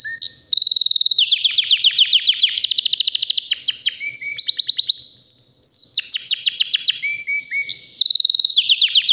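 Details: White canary about three years old, healthy, kept as a pet bird, singing a powerful continuous song of rapid repeated trills, downward-sweeping notes and buzzy rolls, switching phrases every second or two, loud and clean.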